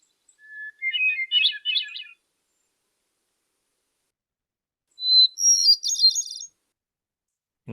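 Hermit Thrush song: two flutelike phrases, each opening on a long pure note and breaking into a quick, echoing flurry, the second pitched noticeably higher.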